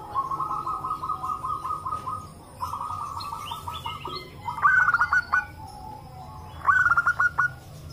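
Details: Several local zebra doves calling together, answering one another, used as a lure to prompt other doves to call; overlapping bursts of low, rapid, bubbling cooing notes, some rising higher and louder near the end.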